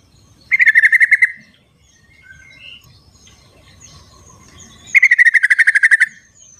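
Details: Sooty-headed bulbul calling in the wild, offered as a lure for reluctant singers: two bursts of fast, evenly pulsed rattling notes about four seconds apart, with faint distant chirps and soft rustling between them.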